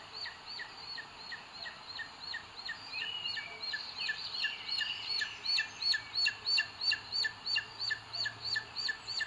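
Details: Nest webcam in Spain's Sierra de Guadarrama park, 2 June 2022: a booted eagle calls as the male delivers food to the female, with quick, high, ringing notes repeated about three per second and growing louder toward the end.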